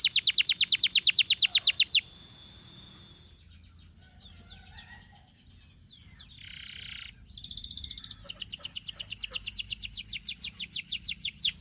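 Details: Canary singing a bright, fast rolling trill of rapid repeated notes for two seconds, then softer scattered chirps and buzzes, before another long, even trill builds toward the end.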